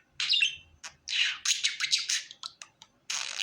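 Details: Contented pet budgerigar uttering quick raspy chirps and a fast string of clicking notes, then a final buzzy squawk, in a quiet indoor setting.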